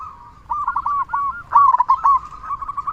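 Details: Local Indonesian zebra dove with a loud, persistent voice, its song used as a lure to prompt other doves to sing. Rolling, staccato cooing notes in quick bursts, with a stronger trilled phrase midway, over a faint low hum.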